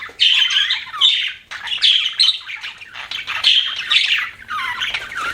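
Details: Pet budgies chirping: rough, squawky warbled phrases about a second long, separated by brief gaps.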